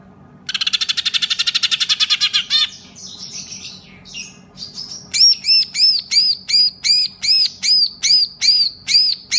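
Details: Caged green leafbird mimicking a lovebird's ngekek trill: a rapid buzzy pulse train, a brief scratchy pause, then a steady run of sharp, looping whistled notes repeated about three times a second.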